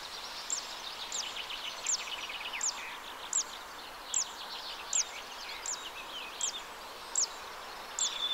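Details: Zitting cisticola (Cisticola juncidis) song in a wetland at the Arzal dam, Morbihan, France, on 2 June: sharp, high 'zit' notes about every three-quarters of a second over a busy chorus of other birds.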